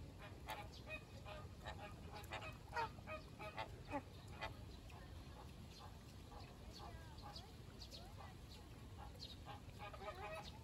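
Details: A flock of American (Caribbean) flamingos standing in a marsh on a summer day gives overlapping nasal, goose-like honks, busiest in the first five seconds, over a steady low rumble.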